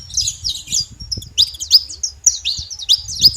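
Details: Several saffron finches from a wild flock give high, sliding chirps in small bursts separated by short gaps, some notes dipping sharply, over soft low-pitched background rumble.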